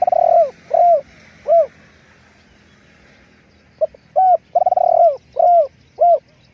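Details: Low rounded coos from a spotted dove kept as a decoy: three falling coos, a short pause, then a full phrase with a quick note, a long rolling trill and more clean coos.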